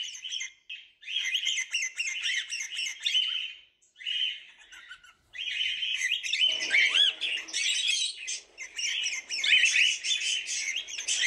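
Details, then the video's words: Cockatiels calling in bursts of harsh, buzzy chirping separated by short silences, with a few looping whistled notes mixed into the busy, overlapping chatter later on. "Cocktiels video and sound"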